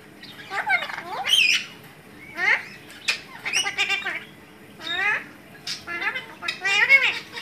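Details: A talking pet Alexandrine parakeet runs together harsh, raspy word-like syllables and harmonic voice-like phrases in several bursts, sounding like garbled mimicked speech, with a squawky edge throughout.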